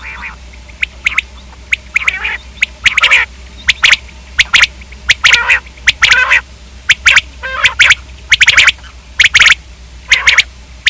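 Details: A steady run of common quail calls: clipped, rhythmic note groups interleaved with grating, buzzy squawks, continuing throughout with little pause.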